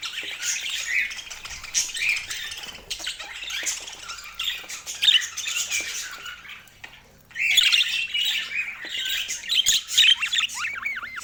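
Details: Several budgerigars warbling together in scratchy, twittering chatter with bright squeaks. A brief lull comes midway before the chorus returns louder, ending with quick rising whistled notes.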